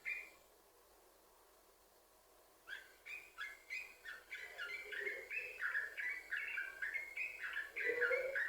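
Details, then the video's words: Continuous, chattering song of a yellow-vented bulbul, the kind played to lure other bulbuls into singing. Near-silence for almost three seconds, then rapid bubbly chirping phrases that build steadily louder. "Trucukan Gacor, Sambung Ropel,Ini Ampuh Buat Pancingan Trucukan Agar Bunyi"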